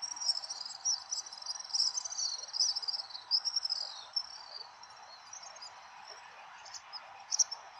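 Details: A flock of house swifts flies over central Tokyo at dusk in mid-December 2023 before going to roost, giving shrill, high, buzzy trilling twitters, dense and overlapping for four seconds, then thinning to brief bursts over a steady hiss.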